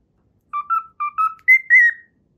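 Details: Cockatiel whistling a learned tune, the Pythagora Switch opening theme: clear whistled notes paired in short phrases, ending in two longer, higher sliding whistles, in a quiet room.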